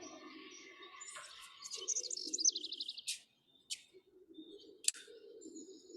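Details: House Finch, a year-round resident, singing in seasonal grassland at Bixby Marshland on 1 May 2021: a long, melodious, warbled run of high notes that rise and fall, with a quick buzzy trill near the middle, over a low background hum.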